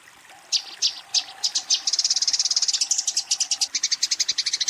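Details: Eurasian tree sparrow fighting, calling a rival: after a short quiet start, sharp high chirps come at uneven intervals, then tighten into a quick, steady chatter.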